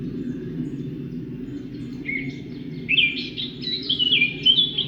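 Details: Bird gives a short high note, then a run of whistled chirps and rising, slurred phrases in the second half, loudest near the end, over a steady low rumbling background noise.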